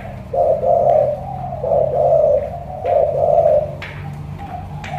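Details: Spotted dove, thổ cọp cooing style, Cà Mau, said to sound big and pigeon-like: three long, throaty coos roughly a second apart, then quieter trailing notes and a soft low hum.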